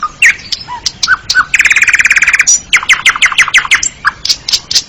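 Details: Asian pied starling singing a fast, varied song: short whistled notes and chattering chirps, a rapid buzzy trill in the middle, then a run of sharp descending notes repeated quickly.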